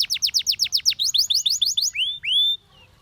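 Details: Canary song meant for coaching canaries to sing: a steady series of sharp descending notes, faster repeated upsweeps, then two long rising whistles before a quiet end.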